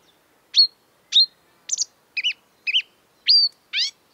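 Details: Spaced, separate notes from a marsh warbler, which copies European and African birds: sharp whistled flicks, looping double notes and a final descending trill, each about half a second apart.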